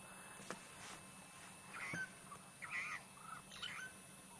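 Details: Wild Burchell's starling singing in Africa in the late afternoon at sunset, heard on a bushwalk: a loose run of short, warbling, twisting whistled phrases, each about half a second long, spaced irregularly over a quiet background with a few soft clicks.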